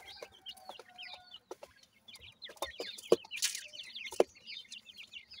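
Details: Grey francolin chicks at feeding, sparse thin chirps at first growing into a busy chorus of down-slurred peeps, with two loud sharp knocks and a soft low hum.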